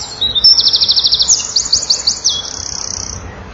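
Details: Breeding-wall camera, 7 June 2012, 16:57: a male Eurasian wren pours out song for nearby females, a continuous high, ringing sequence of fast trills and sharp notes ending in a rapid, softer rattle.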